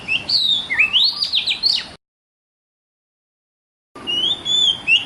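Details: Oriental magpie-robin song meant to provoke young magpie-robins into responding; a phrase of steep rising sweeps and buzzy slurs ends, silence follows, then level whistled notes begin a new phrase.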